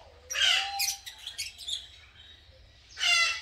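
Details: Rasping squawks from green masked lovebirds in a breeding colony during nest building, followed by a few clipped chirps and a low thin whistle, then a final loud harsh screech.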